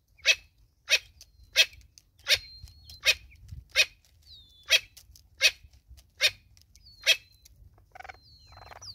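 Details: Natal spurfowl, a mother bird with chicks in South Africa, gives a steady run of about a dozen short, harsh clucks roughly every 0.7 seconds, while the chicks add faint, high, thin descending peeps.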